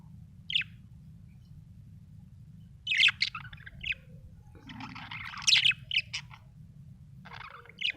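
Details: Cheerful budgerigar chirping, a string of short sharp high chirps that swell into a denser chattering warble near the middle, then trail off into scattered single notes over a soft low hum.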